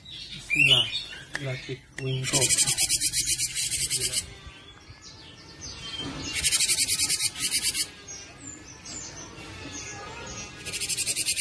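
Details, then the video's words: Cinereous tit (gelatik batu) giving bursts of rapid, high buzzy chattering notes, each about two seconds long, repeated after pauses, with faint voices and music-like sound underneath. "burung gelatik batu gacor"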